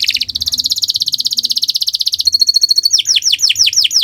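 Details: Canary song suited for training other birds: a fast, even trill of sharp high notes for two seconds, then a thin, level, rapid series, ending in loud, descending whistled sweeps about five per second.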